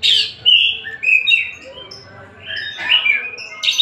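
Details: Singing kacer, or Oriental magpie-robin, from Tasik: a few clear whistled notes sliding down, a softer twittering middle, then another bright whistle and a sharp final burst.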